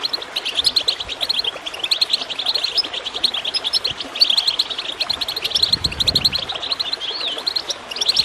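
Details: Bright, rapid goldfinch chirps and twitters pour over gurgling water, played to coax birds into song, with a brief rising whistle near the end and soft water rumbles.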